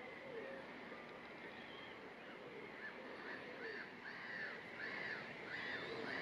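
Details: Water rail foraging with two juvenile chicks at Lake Chiemsee, giving a series of short, nasal, arched squeaky notes, roughly two per second and growing louder toward the end, over a steady rushing background.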